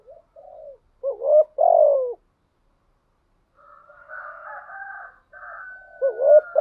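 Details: Decoy spotted dove with a thổ voice giving loud hoarse two-part coos, a short rise then a longer fall, at the start and end, with a rooster crowing in the middle.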